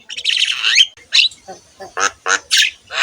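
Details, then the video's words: Javan myna song used to train other mynas: a drawn-out buzzy squawk, then a whistle and a series of short rasping notes spaced about every quarter second. "KICAUAN BURUNG JALAK KEBO GACOR COCOK UNTUK MASTERAN SEMUA JENIS JALAK"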